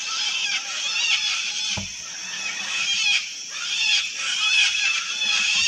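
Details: Many wild sulphur-crested cockatoos in a colony keep up a steady din of rough, scratchy screams, layered and unbroken, with one brief low knock partway through.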